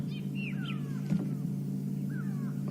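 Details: Grey go-away-birds alarm-calling over a wide area on a safari sunrise drive, 27 April 2015, possibly at an eagle: nasal drawn-out calls in two short bursts bending up and down over a steady vehicle engine drone.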